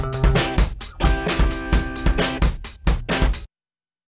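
Drum-heavy music with bass drum, snare and guitar plays for about three and a half seconds, then silence, with no animal sound.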